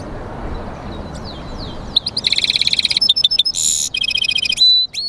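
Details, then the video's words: European goldfinch × canary mule singing: quiet hiss for two seconds, then a burst of high, rapid buzzy chirps and short trills with a few thin whistled notes near the end. "European Goldfinch mule singing"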